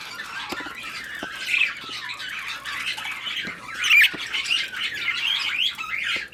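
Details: Mating budgerigars warble in a soft, scratchy stream with squeaky whistles, growing louder at moments, with a few clicks in between.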